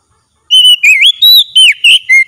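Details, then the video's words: During a daily training session, a kacer (Oriental magpie-robin) sings gacor: six bright whistled notes in about two seconds, mixing steady tones with sliding, wavering ones. "TERAPI HARIAN KACER LANGSUNG GACOR"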